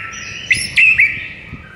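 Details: Morning master song of a white-rumped shama, used to excite birds that have gone silent: a sustained level whistle, then three quick sharp flicked notes that fade back into the held tone.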